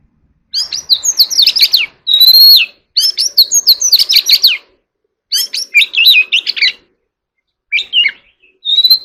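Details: Oriental magpie-robin, a kept ornamental bird, in contest singing: rich phrases of fast whistled and chattering notes sweeping between mid and very high pitch, with clear rising whistles, delivered in bursts separated by short pauses.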